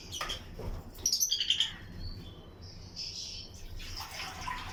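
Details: Chirping from lutino lovebirds kept in a colony flight aviary: a quick run of bright, high chirps around one to one and a half seconds, then softer chatter over a faint low rumble.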